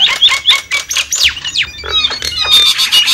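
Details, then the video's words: Lure call of the Javan myna: scratchy squawks and two clear downward-sweeping whistles, ending in a dense, buzzy chatter. "suara pikat burung jalak kebo"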